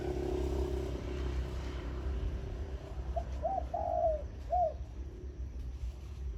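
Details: Morning song of a decoy zebra dove, khan yon style: one phrase of clipped notes, a drawn-out trembling coo and a curved falling end note. Loud low hum and a buzzing tone precede it.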